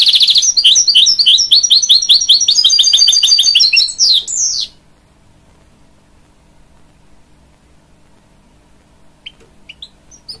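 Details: A hybrid goldfinch sings to encourage young chicks, delivering about four and a half seconds of dense, fast twittering and trilled notes before stopping abruptly, leaving near silence with a couple of faint chirps at the end.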